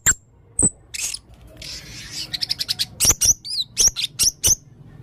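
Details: Male blue-crowned hanging parrot, red-throated, in full song: scattered high squeaks and a rasping buzz, then a rapid flurry of sharp clicks and thin whistled chirps.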